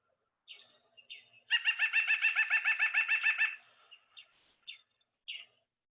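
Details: A White-breasted nuthatch at a feeder gives a fast, even run of about twenty nasal, tooting notes over two seconds, with a few scattered higher chips before and after.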